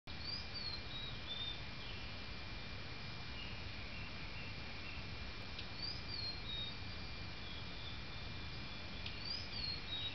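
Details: A female Blue-and-white flycatcher, bill full of insects, with fledglings nearby, gives thin, high whistles resembling male song but lacking its final buzz, thought to be alarm calls, rising then falling, three times about three seconds apart, with soft ticks over low rumble.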